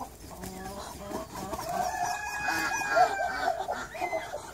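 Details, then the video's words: Small, docile Japanese Bantam rooster crowing: a drawn-out, harmonic crow lasting about two seconds that holds a steady pitch, then trails off, with scattered clucks and background noise around it. "Rooster Sounds - Funny Rooster Sounds"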